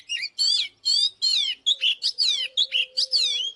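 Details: Oriental magpie-robin singing as a lure to provoke a wild-caught bird to fight: a fast run of loud, varied whistled phrases with sweeping, falling slurs and short chirps, nearly continuous, over a faint steady low hum.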